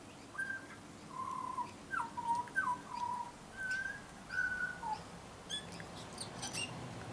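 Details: Pure, flute-like notes from a young butcherbird that often comes to a garden: short level and falling whistles in quick succession, a few higher notes later, with faint clicks and light background hiss.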